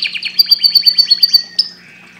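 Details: Canary song phrase: about ten evenly spaced, sharp, falling chirps in quick succession, then a single high whistled note sliding away into quiet background hum.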